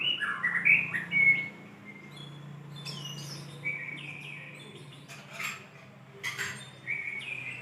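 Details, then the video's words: White-rumped shama, a vigorously singing bird calling a female: scattered whistled phrases and sliding notes around mid-high pitch, separated by pauses, with a steady low hum underneath. "SUARA MURAI BATU GACOR MEMANGGIL BETINA"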